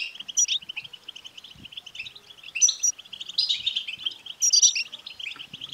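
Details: European goldfinch twittering, played to make a male goldfinch sing: a continuous chattering flow of rapid chirps, with louder buzzy, tinkling bursts roughly every one to one and a half seconds.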